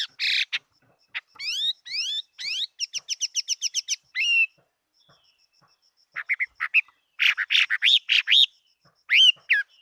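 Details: Singing fighting Chinese hwamei from 2018 gives a fast ladder of rising slurred whistles and a long rattling series of repeated notes, pauses, then resumes with varied rich warbling phrases.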